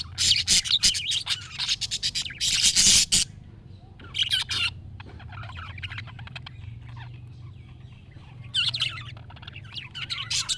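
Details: Budgerigar calls played to prompt a pet budgie to answer: dense, scratchy chirps and warbling chatter in loud bursts, with quieter twittering between them and a steady low hum underneath.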